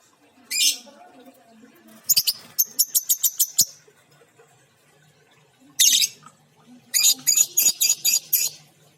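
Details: Female lovebird with an injured beak giving shrill, harsh chirps: a single burst, then a rapid run of about six sharp notes, another lone burst, and a final quick series of six clipped calls, with quiet room hum between them.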